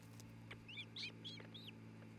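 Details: Osprey pair at their new nest in Charlo, Montana, on a nest camera on the early afternoon of 27 June 2018: a quick run of five or six sharp, high whistled chirps, each slurring up then down, over a steady low electrical hum.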